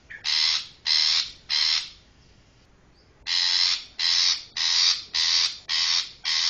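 Long-tailed shrike giving harsh, rasping scolding notes, nine in all at under a second apart, with a brief pause after the third.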